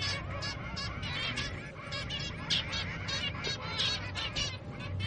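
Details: Zebra finch chicks beg while being fed, with rapid, buzzy, high-pitched calls repeated in quick bursts.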